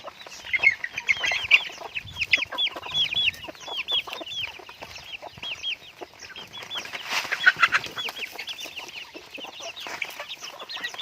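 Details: Pet chickens in a raising setup, a loud chorus of repeated high curling peeps mixed with short clucks, many birds calling at once without pause.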